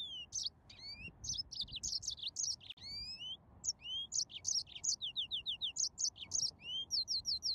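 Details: Serinus mozambicus singing nonstop: bright repeated chirps, upward-sweeping whistles and short trilled runs, high-pitched and rhythmic.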